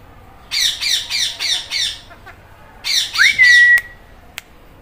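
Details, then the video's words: Green Indian ringneck parrot: a burst of five harsh squawks, a pause, then more squawks ending in a clear whistled note that rises and holds steady. "Green Ringneck Parrot Talking Meow Meow"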